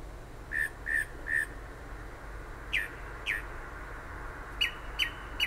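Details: Late-night bird singing by a house in south-central New Jersey near the shore: clear whistled notes in groups, first three level whistles, then two falling slurs, then sharp rising-falling chips, over a steady background hiss.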